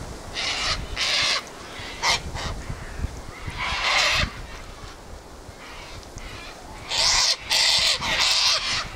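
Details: A gathered group of Sulphur-crested cockatoos squawking: bursts of harsh, noisy screeches come in irregular clusters with quieter gaps between them, and the strongest run of grating calls arrives near the end.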